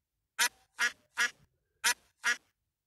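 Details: Duck quacking in a children's animal quiz: five loud, harsh, nasal quacks, three close together then a short pause and two more, with no other sounds.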